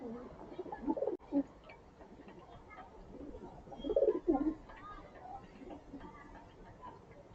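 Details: Hungry pigeons being fed grain in the morning give low, soft cooing phrases, two main bursts around the first and fourth seconds, with quieter murmuring between and a faint background hum.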